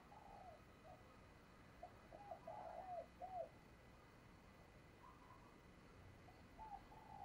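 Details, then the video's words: Female dove calling to attract males: a run of short, arched cooing notes in quick succession mid-clip, a few fainter coos near the end, over a steady background hiss. "Tiếng Chim Cu Mái Kích Trống"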